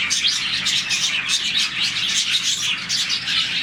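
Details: Some 40 colony budgies chirping happily at morning time, a crowded burst of quick twitters and warbling notes pulsing in short loud surges, many voices at once.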